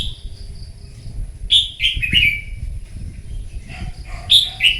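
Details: A wild-caught red-whiskered bulbul sings competitively in the morning, giving a quick run of three loud whistled notes dropping in pitch, a short pause of softer notes, then a rising two-note phrase, steady whine behind.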